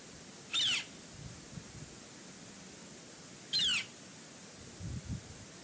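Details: Bald eagles at their nest at Fraser Point, a pair seen together often over a couple of days, 9 August 2018: two thin, high, downslurred squealing notes about three seconds apart over a soft steady background hiss.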